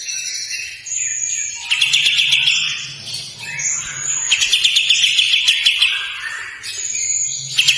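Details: Kapas tembak bulbul in long harsh song: drawn-out rasping trills alternating with shorter chattering notes, repeated in steady runs, with a faint higher whistle in the background.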